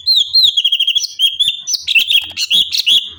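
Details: Cucak cungkok bulbul singing energetically, used as tutor song for other cage birds: a continuous torrent of quick, high, bubbling whistles, slurred upward and downward notes and sharp chips, densely packed without pause.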